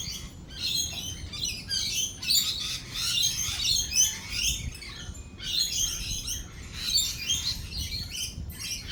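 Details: During rolling thunder and lightning, lorikeets produce bursts of high, grating, overlapping squeals and chatters, pausing briefly around the middle before resuming, over a weak low rumble.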